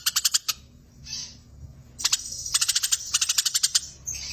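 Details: Eurasian tree sparrow fighting, producing choppy trains of quick, bright chirps, short stuttering bursts broken by pauses, with a faint hiss between phrases.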